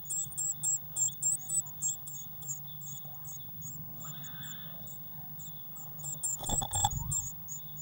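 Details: Blue tits at a nest box, 19 May 2019, with a feeder of waxworms nearby: a fast series of very high, thin squeaking notes, several per second, fading then returning, with a burst of rustling and knocking near the end.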